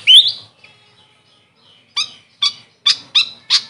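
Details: Grey fantail, locally called Maria Capra, gives one squeaky upward-sweeping note. After more than a second of near silence come five short, sharp chirps spaced about half a second apart. The background is quiet.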